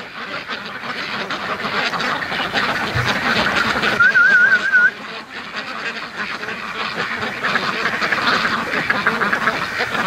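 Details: Domestic ducks being urged along a trail to the lake on a damp day with misting rain. A flock keeps up rapid, irregular quacking, about three calls a second. A brief wavering whistled note sounds midway and is louder.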